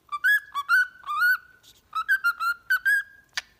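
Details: Cockatiel training song for a pet bird: rising and falling whistles run together in two phrases, the first ending in a long held note, closing with one harsh chirp.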